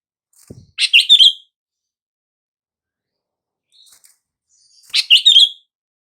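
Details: A sooty-headed bulbul calls, meant to get silent bulbuls to react: a faint low tap, a chattered bubbly phrase, a weak brief note, then another similar phrase four seconds on.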